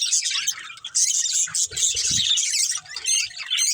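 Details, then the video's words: A caged budgie breeding pair chattering in high rippling warbles and chirps, one short dip in the chatter and a brief low thump midway. "Beautiful Budgies Chirping Sounds"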